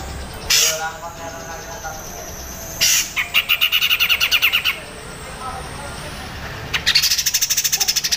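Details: Grey-cheeked bulbul (cucak jenggot) in crecet style, a master song for training other songbirds: a harsh burst, then a fast run of about ten sharp chattering notes, a pause, and another rapid rattling series.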